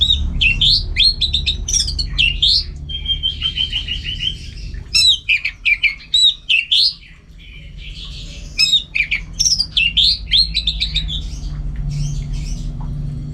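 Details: Orange-headed thrush kept for singing contests in North Bali, Singaraja, in full song at home. Dense bursts of sharp, bending whistles and chattering notes alternate with short pauses across the whole stretch, backed by a faint low hum.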